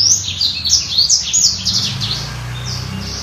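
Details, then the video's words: A black-throated canary sings a fast, high, twittering warble of rapid chirps and trills, strongest at first, then softer, over a low background hum. "Kicau BURUNG BLACKTROAT"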